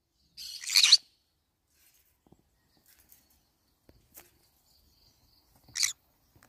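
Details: Green-cheeked conure nibbling banana leaves lets out a loud harsh squawk, then near silence with faint soft clicks, then a second shorter screechy call about five seconds later.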